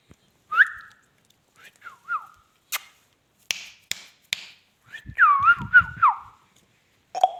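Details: Talking Indian ringneck parakeet giving short rising whistled notes, a few sharp clicks, then a longer warbling, looping whistled phrase with low knocking noises beneath it.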